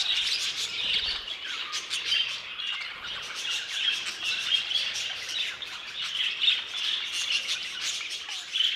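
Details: Group of budgerigars in an aviary keeping up lively, overlapping high chirps and warbles, steady throughout with occasional louder peaks.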